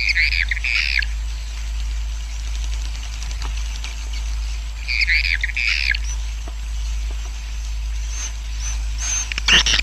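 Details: Swiftlet colony roosting sound meant to help the colony multiply: short bursts of high chattering twitters near the start and middle, with a few thin high whistles and a low hum beneath.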